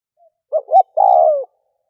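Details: Spotted dove luring call from Vietnam for attracting wild doves: a single phrase of two short rising notes followed by a sustained, gently falling coo.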